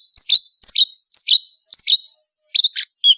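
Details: Long-tailed shrike in vigorous song: short, harsh, buzzy two-part phrases repeated about every half second, high-pitched and scratchy, with silence between them.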